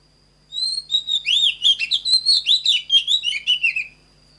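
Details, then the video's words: Oriental magpie-robin (chòe than) song, offered for training birds to sing in a standard voice. A bright varied whistled phrase: a rising slurred opening note, then a quick run of about a dozen sweet, slurred whistles over three seconds. A steady faint high tone and low hum run behind. "LUYỆN CHÒE THAN HÓT GIỌNG CHUẨN"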